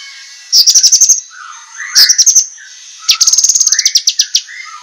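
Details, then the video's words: Cucak kinoi singing sharp master song for competition bird training: three trills of fast, bright high notes, the last one longest, with faint lower warbles underneath. "suara masteran cucak kinoi, masteran tajam untuk burung lomba"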